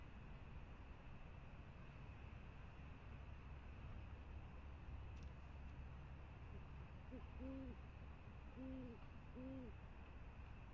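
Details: Great horned owl at the Presidio on 28 January 2019, having just brought prey, gives soft low hoots: a short run of about four rounded notes near the end, over steady low rumbling background noise.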